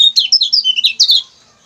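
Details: Short, bright phrase of the lemon-bellied white-eye, or kecial kuning, recorded for training other songbirds: half a dozen high, slurred chirps in quick succession, ending abruptly.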